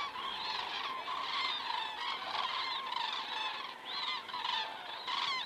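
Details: Common cranes flying over at 19:10 in the evening of 19 September 2017, picked up by a crane webcam in Estonia; a distant flock gives overlapping trumpeting honks in steady, dense chorus with no other clear sounds.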